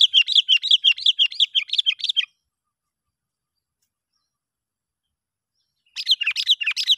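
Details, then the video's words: Sooty-headed bulbul lure call used to attract wild bulbuls for trapping: a fast run of bright, chattering notes, about a dozen in two seconds, then a pause and another quick burst. "panggilan yg sangat Ampuh ‼️ bikin bl berdatangan"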